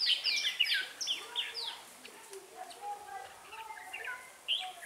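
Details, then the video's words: Decoy red-whiskered bulbul in a trapping setup, opening with loud quick series of sharp descending whistled notes, then quieter scattered phrases and a low murmur of voices. "Bẫy chào mào"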